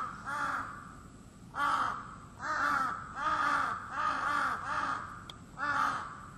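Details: Crow heard daily from 4 a.m. onward, giving a loose run of six rasping caws at uneven intervals over a constant low hum and a faint high whine.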